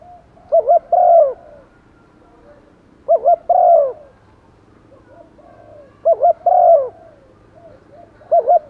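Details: Decoy spotted dove calling to lure wild doves: phrases of a quick doubled note and a long falling coo, repeated about every three seconds over low background noise.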